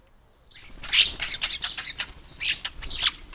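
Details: European starling singing and imitating the calls and songs of other birds: a rapid, rich jumble of clicks, buzzy rattles and high squeaky whistles in dense bursts, sudden after half a second of quiet.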